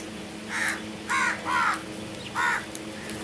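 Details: Crow calling with four harsh, nasal caws in about two seconds, the middle two close together, against a faint steady hum.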